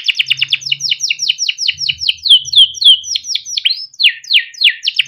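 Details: Yellow Timbrado canary in melodic song, rapid repeated falling notes running into slower swooping whistles, each phrase a series of similar syllables.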